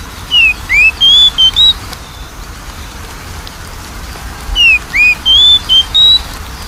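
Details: Oriental magpie-robin song used as a lure to prompt a reluctant, lazy singer: a clear whistled phrase of about five notes, a falling slur, a rising slur and level whistles, given twice about four seconds apart over a faint background hiss.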